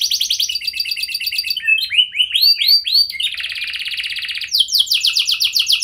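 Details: Canary singing as a lure for other canaries to respond: a quick high trill, a run of slower looping whistled notes, a dense buzzy rattle, then fast descending trilled notes.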